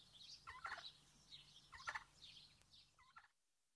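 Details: Turkeys outdoors on a farm give three quick, rattling gobbles about a second apart, with a faint low hum in the background.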